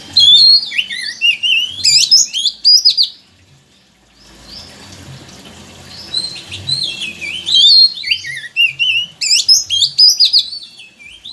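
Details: Oriental magpie-robin song played to coax a quiet bird to sing: rich, rapid whistled phrases with swooping and warbled notes, a brief pause midway, then more vigorous bursts, over faint low background noise.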